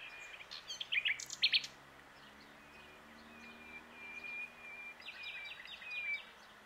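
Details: Nightingale at a lakeside spot in Bourbon-Lancy singing from a branch: a few quick chattering notes, then soft, drawn-out pure whistles and a closing flourish, fairly quiet against a light background hiss.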